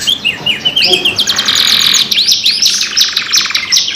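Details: Two canaries singing a lure song: looping whistled notes, a long fast buzzing trill, then arched whistles and a dry rattling roll.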